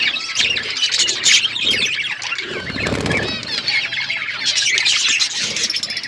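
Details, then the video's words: Dense, continuous warbling and twittering from a budgerigar flock kept in an outdoor aviary, many birds calling at once, with a short rush of wingbeats partway through. "budgies chirping sounds"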